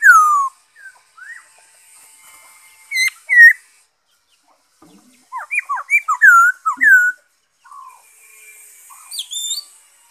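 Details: Black-throated laughingthrush recorded 5 May 2021: a loud falling whistle opens, then sparse soft notes. A burst of quick, looping whistled phrases follows midway, with a few fainter rising notes near the end.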